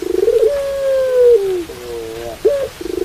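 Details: A Barbary dove in pelung style: a pulsed, rolling start flows into a long steady hoot that falls at the end, then a soft triple note, a rising yelp and the next throbbing roll.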